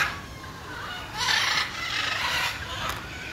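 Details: Macaws, recorded 6 June 2022, give two loud, harsh, raspy squawks, each about a third of a second long, over a steady hiss of background noise.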